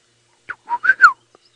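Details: Black-headed Oriole at dawn (5:30 AM, 20 February 2018) in Djuma Game Reserve, Sabi Sand, Kruger area, South Africa, gives a short liquid whistled phrase of three or four fluty notes, rising then falling, over about half a second.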